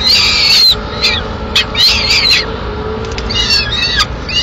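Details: Peregrine falcon chick in Madrid on 22 May 2016 crying for food as the female eats a delivered swift; short, scratchy high calls in several uneven bursts, softer toward the end.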